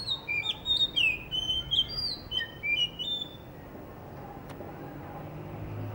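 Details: Blue whistling thrush (Myophonus caeruleus) in Hunza, Pakistan, perched before a guesthouse under construction, sings a quick run of high, clear whistled notes, some sliding up or down, for about three seconds, then quiet outdoor hush.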